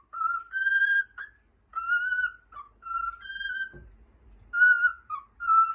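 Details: A pet cockatiel whistles Over the Rainbow in a string of bright held notes with small slurred dips between them, phrases repeating at an even pace, a faint soft thump midway.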